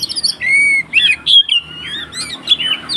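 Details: Agitated fighting song of a white-rumped shama, used to provoke rivals: a long clear whistle, then rapid twisting slurred notes and squeaky chips following in quick succession.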